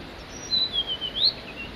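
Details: Solo song of a male Blue-and-white Flycatcher on Migitagatake: a sweet, sliding high whistle with several linked notes, ending in a sharp upward flick and a softer trailing note.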